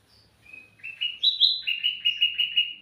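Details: Sooty-headed bulbul in active song, used as a lure for other birds: a rising ladder of clear whistled notes climbs to a peak, then a quick run of about eight short, even chirps on one pitch.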